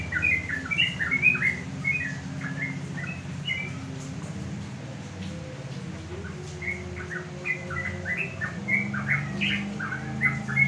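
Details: Sooty-headed bulbul on a house terrace in the afternoon, singing to provoke rival bulbuls into replying; lively clusters of short liquid whistled phrases at the start and again in the second half, steady low mechanical hum underneath.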